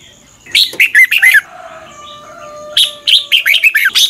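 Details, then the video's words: Red-whiskered bulbul morning training song, fast and fired-up: two busy phrases of ringing chirps and slurs over a soft low steady hum. "luyện chào mào hót sáng. Hót hay nhanh căng lửa. Kích chào mào ché. Cách luyện chào mào hót căng lửa"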